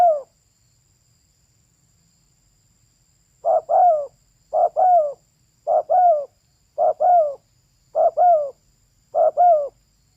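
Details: A female spotted dove's call. After a few quiet seconds come six evenly spaced coo pairs, roughly one a second, each a short lead note and a slightly longer falling coo.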